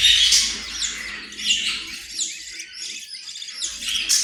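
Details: Australian parrot giving a series of sliding, buzzy chirps roughly every half second. The notes are scratchy and high, with short gaps between them.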